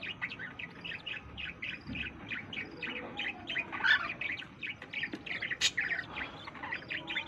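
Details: Budgerigars kept for breeding at home chatter in quick, repeated chirps and warbles, rising and falling with the occasional sharper squawk.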